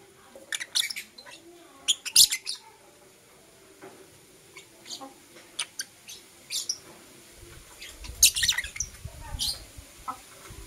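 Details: Morning chirping from Blue Opaline and Euwing Opaline lovebirds as they kiss: bursts of harsh, high twittering notes, some in quick clusters, separated by short pauses, with soft background rumble.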